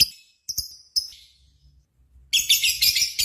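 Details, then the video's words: Lovebird chirping in a contest simulation used as a lure to set other lovebirds singing: a few sharp high chirps with pauses, then a sudden dense, jumbled burst of shrill twittering. "PANCINGAN Burung Lovebird"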